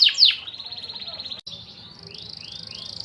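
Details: Canary song: a few loud sharp chirps open into a long thin rolling trill, followed after a brief break by softer high trills and three faint rising whistles over low background hum.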